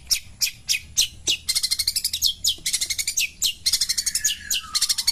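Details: Long-tailed shrike pastol song at morning: dense chattering bursts of high rasping notes, fast and uneven, with a faint falling whistle toward the end.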